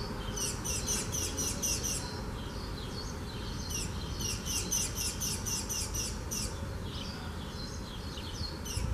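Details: A Spanish sparrow at Gáldar, Gran Canaria, in March 2017, gives quick runs of high, sharp chirps, about four a second, in two bursts over a steady low rumble.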